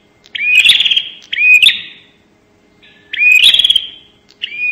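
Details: Bar-winged prinia call used as a lure sound: loud bursts of rising whistled notes that flatten into a buzzy, rattling trill, each lasting about a second, separated by short pauses.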